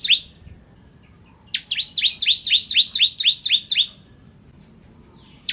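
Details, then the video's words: Bar-winged prinia of the 'kristal' type, singing energetically, recorded as a tutor song for training magpie-robins; a burst of about ten loud, sharply downslurred high chips in quick even succession, with a single chip at the start and end. "Masteran Ciblek Kristal Gacor"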